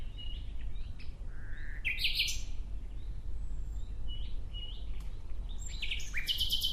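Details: Nightingale singing scattered phrases: soft chirps, a low whistled note, a brief bright twittering burst, quieter pauses, then a louder chattering phrase at the end, over a steady low rumble.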